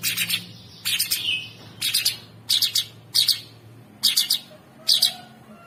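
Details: Masteran tutor material of a sooty-headed bulbul, meant for training champion songbirds with coarse fill. Rasping, scratchy double-notes are repeated roughly every 0.7 seconds in a steady series over a faint low hum.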